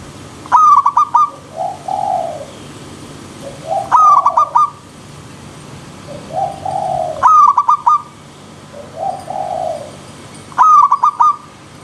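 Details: Wild zebra dove with river stream ambience, repeating a ringing trill of staccato coos four times, roughly every three seconds. Lower, smoother cooing notes answer between the phrases.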